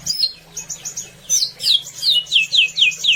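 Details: Greater green leafbird song used as a master recording to make other birds sing: high chattering notes, then loud descending whistled slurs repeated roughly every quarter second.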